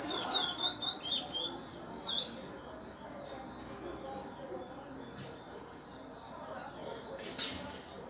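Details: Captive Chestnut-bellied seed finch (curió) learning the Pardo song type from a recorded tutor: quick sequence of bright whistled notes for about two seconds, then quieter room noise with a single brief note later.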